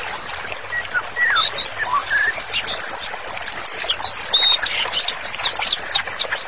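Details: Energetic song of a white-rumped shama meant for training and therapy: dense, fast phrases of high whistles and chips, a few lower slurred notes, continuing without pause.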